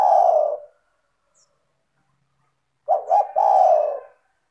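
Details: Spotted dove cooing, a clear melodious song for luring other doves to sing: one long coo ends, a pause follows, then a phrase of two short coos and a long mellow coo.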